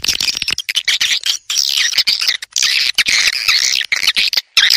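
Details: Swiftlet calling sound meant to attract swiftlets: loud, harsh, rasping twitters in long runs, separated by brief gaps, shrill and crowded.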